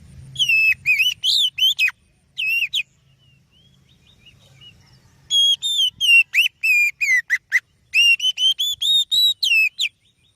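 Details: Oriental magpie-robin in full song, presented as bait song to stir other birds into singing: rich, varied whistled phrases in fast clusters, broken by a few seconds of quiet with a faint low hum.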